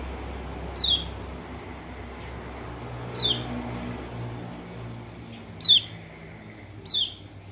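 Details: Lombok white-eye (pleci) call used as a lure to make a lazy, silent bird respond: four piercing, high notes sliding downward, spaced irregularly two to three seconds apart, with low background hum.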